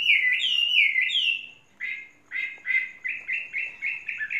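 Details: Fault-free tame Chinese hwamei of three seasons: a bright, fast whistled flourish, a brief silence, then a run of short, rich slurred notes repeated about three times a second.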